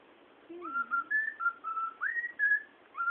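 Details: Young pet cockatiel chick whistling a run of clear tonal notes, mixing imitated songs. Notes step up and down in short held phrases, with one upward-swooping note near the middle, in a quiet indoor room.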